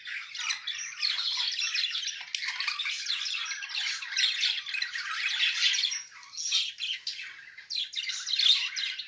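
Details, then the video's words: Paired budgerigars keep up a continuous, scratchy warbling chatter for about nine seconds, with squeaks and clicks mixed in and brief louder rasping peaks, heard indoors. "Muhabbet kuşu eşli"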